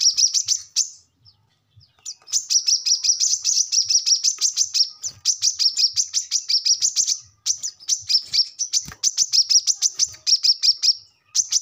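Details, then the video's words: Brown-throated sunbird in full, active song, used as a training recording for captive birds: long runs of rapid, high, sharp chirps around 5–6k, repeated in fast bursts with brief pauses between phrases. "kolibri kelapa | manggar | wiceh | korlap ngobra gacor pancingan / masteran burung korlap bahan"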